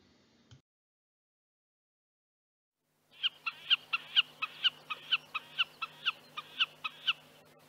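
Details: Common snipe, a bird of moor and heath, gives a rhythmic series of short, sharp, doubled notes, about two per second, after a brief click and a pause.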